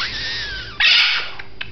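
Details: Female Red-fronted Macaw kept as a pet, indoors during flight training and stubbornly not coming when called: a thin descending whistle, then a loud, harsh, raspy squawk lasting under half a second.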